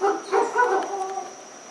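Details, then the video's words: Dusky-legged guan near Pereira, Colombia, late afternoon of 25 November 2021, two birds present: three quick, nasal honks in fast succession, fading into a droning insect background. "Penelope obscura"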